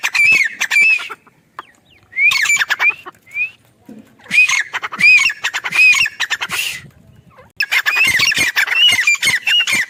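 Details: Grey francolin female at a mango farm calling in long, dense bursts of harsh, metallic squawking notes that arch up and down, repeated rapidly, separated by brief quieter pauses.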